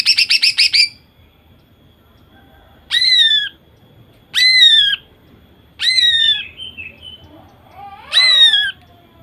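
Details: Greater green leafbird, a female used to prompt male song: a quick rattle of repeated notes, followed by four separate loud whistled notes, each slurring downward, spaced about one and a half seconds apart.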